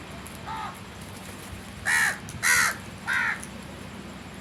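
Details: A crow's rapid run of loud, harsh caws, three close together after a softer opening note, then another starting at the very end, against a light background hiss.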